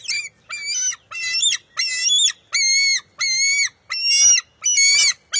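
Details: Bald eagle eaglet grabbing back a fish its mother took, at the nest on 23 June 2021: eight high, strained, harmonic squeals in a regular rhythm, each roughly half a second long.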